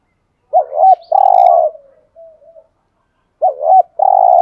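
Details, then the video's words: A decoy spotted dove repeats its luring coo twice: a quick wobbling double note, then a sustained buzzy coo with a faint trailing murmur. A pause of about a second and a half separates the two. "tiếng chim cu cườm mồi gù thúc"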